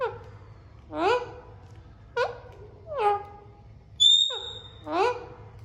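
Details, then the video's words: Harsh, harmonic squawks from Alexandrine parakeets talking and playing come roughly once a second, each sliding upward or downward, with one pure high whistled note in between. "Alexander parrots talking and playing"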